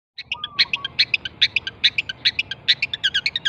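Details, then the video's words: Pentet from Java, Indonesia, singing a fast run of short high chirps and sharp notes, about two per second, with a faint low whistle early on and low background hum. "misteri pentet jawa"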